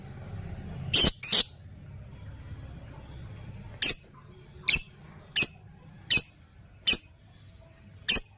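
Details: Lovebird training lure call, ngekekekeke: a quick double chirp, a gap of two seconds, then six shrill high chirps spaced under a second apart, in a quiet indoor setting with low hum.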